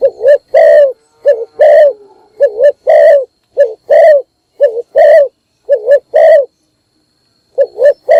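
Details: Spotted dove decoy calling at morning to draw in other doves: a long, rhythmic series of deep coos, wavering doubled notes alternating with sustained ones, then a brief pause before the pattern resumes.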